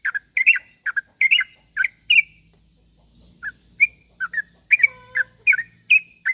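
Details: Sooty-headed bulbul calling to draw replies from other bulbuls: bursts of bubbly chirped notes, a short pause near the middle, then renewed quick phrases over a faint low whistle and background hum.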